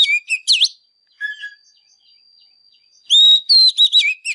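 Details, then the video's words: Oriental magpie-robin singing in excited 'căng lửa' style with display: a few quick whistled chirps and a swooping V note, a quiet stretch with a lower note, then a loud sustained whistle and chirps. "Chòe Than CĂNG LỬA HÓT MÚA"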